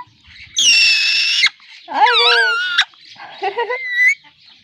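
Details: Pet parrot giving a long steady buzzy tone, then wavering, speech-like warbles and rising notes, loud and close.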